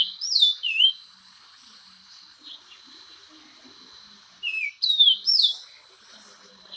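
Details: Orange-crowned oriole singing two bursts of rich whistled notes, each with swooping downward slurs, separated by several seconds of steady background hiss.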